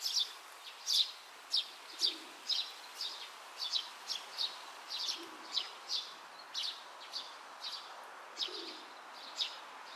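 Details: Young Oriental greenfinch foraging in a grassy patch, recorded 31 May 2023 around midday; a regular series of faint high chirps roughly twice a second over constant background hiss.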